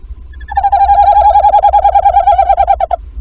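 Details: Tawny owl pair at the nest in Wassenaar, February evening after the female's first egg, exchanging calls. A close, fluttering trill held for about two and a half seconds, pulsing evenly before breaking off.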